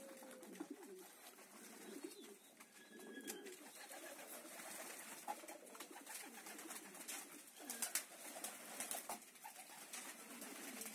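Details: Meulemans homing pigeons utter quiet, throaty coo phrases, repeated irregularly over constant hiss and frequent clicking sounds.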